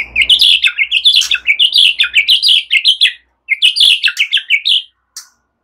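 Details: White-rumped shama singing a relaxed string of cililin- and ciblek-style phrases for prompting other birds: dense, rapid chattering twitters and high sweet notes in two long bursts, with a faint low hum underneath.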